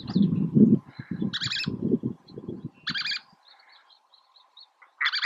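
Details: Least tern (Sternula antillarum) at Oso Flaco on May 31, 2019, giving three harsh, raspy chirps about every two seconds over a low rumble of wind or surf.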